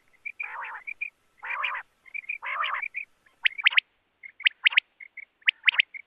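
Quail calling: three harsh, rasping bursts, then sharp whistled notes in quick groups of two or three, repeated about once a second.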